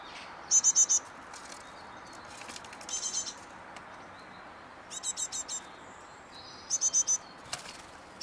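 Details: Great tits in Mariahoeve, The Hague, in May, recorded on an eleventh floor. Short bursts of three to four sharp, high, ticking notes repeat every two to three seconds over soft hiss, with a few fainter chirps between.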